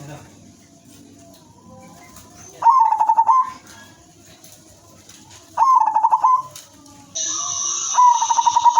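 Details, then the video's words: Melodious female zebra dove of the silver type, kept as a lure for other zebra doves, repeats short bursts of fast, stuttering coos about every three seconds over quiet background hum. "perkutut/merbok betina silver suara merdu paling cocok jadi pancingan semua jenis perkutut"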